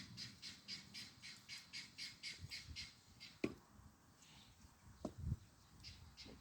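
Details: Helmeted guineafowl calling in the background of a garden: harsh, rhythmic squawks repeated about twice a second, with a few thuds and rustles nearby.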